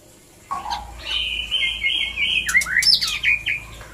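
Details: White-rumped shama, a breeding-stimulation mating call: a low whistle, then sustained loud whistled notes near the middle range, ending in rapid sharp upslurred phrases and high notes.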